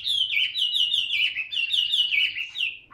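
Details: Tame caged Chinese hwamei practising its song, a loud continuous stream of rapid, bright whistled notes that ripple and slide slightly downward in runs, ending on a lower note.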